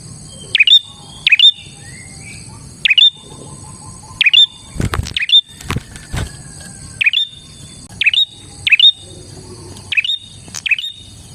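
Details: Bar-winged prinia in constant song, used for luring other prinias: a sharp high note that swoops down then up, repeated about ten times at intervals of roughly one second, with a few loud knocking thumps midway.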